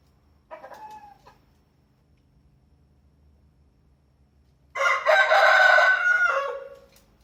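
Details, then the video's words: Rooster crowing: a faint, distant crow near the start, then about four seconds of near silence before a loud, harsh, many-layered crow that holds for roughly two seconds and tapers off at the end. "suara ayam berkokok"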